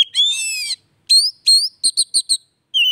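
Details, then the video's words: Oriental magpie-robin song used as a prompt for a bird that has stopped singing: a scratchy buzzing note, two rising whistles, a rapid series of clipped chip notes, and a closing whistle. "TERAPI HARIAN BURUNG KACER MACET"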